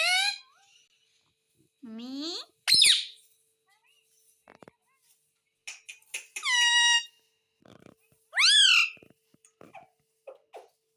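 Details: Pet parrot talking indoors in a small room: loud, high, harmonic rising and falling voiced syllables in separate bursts, with quieter clicks and short sounds between them.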